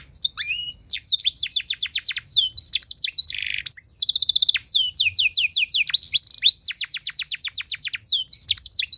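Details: Lure song of a canary, ornate and intended to make other canaries sing: rapid runs of high descending sweeps, a short rasping rattle, a clipped buzzy trill, then more quick chip-like sweeps, delivered continuously without pause.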